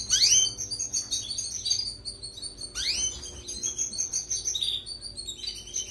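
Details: European goldfinch song meant for training canaries: continuous rapid twittering of bright, high notes, broken by two emphatic bursts of rising swept whistles.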